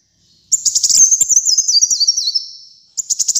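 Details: Brown-throated sunbird in full song for pet-bird training and luring: a long, shrill, fast-stuttering trill with zigzagging notes that slowly descends and fades, followed by the start of another burst.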